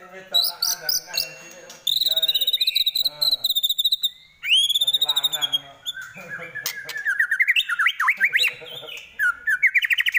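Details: White-rumped shama (murai batu) giving high, rapid trilled phrases in bursts, then a tumbling series of rising and falling whistles.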